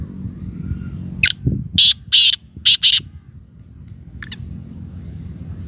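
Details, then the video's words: Black francolin calling: one harsh, grating phrase of about five rapid, buzzy high-pitched bursts, then a single shorter burst a second later, over faint low background rumble. "Kala Teetar Ki Awaz | black francolin Voice"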